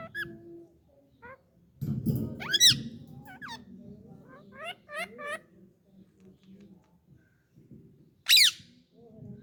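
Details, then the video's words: Indian ringneck parakeet talking, giving a few sharp, squeaky syllables with bright overtones between quieter chatter, plus one loud shrill note near the end, with low room murmur and handling noise underneath. "Ringneck Talking parrot"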